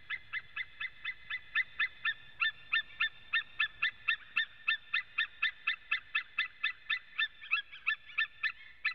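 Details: ['Wild male white-tailed eagle in Latvia, recorded by a nest webcam on 23 September 2017 in the early afternoon, with a second male calling too. A fast, even run of sharp yelping notes, about four each second, continues for nine seconds.']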